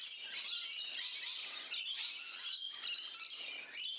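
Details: Several rainbow lorikeets in a neighbourhood garden, Central Coast, New South Wales, Australia, keep up a steady high, harsh screeching chatter with thin whistled squeals mixed in.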